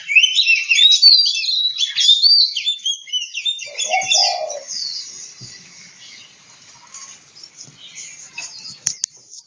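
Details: Oriental magpie-robin singing in Kebumen, Central Java: a dense, rapid run of high chirps and whistles for several seconds, with one lower whistled phrase mid-way, then fading into faint scattered notes.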